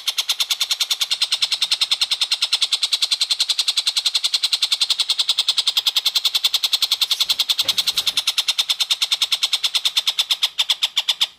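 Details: Long-tailed shrike recorded as a tutor recording for training white-rumped shamas, in lively full voice: harsh, rasping notes repeated very rapidly, about three to four per second, in a steady unbroken series throughout.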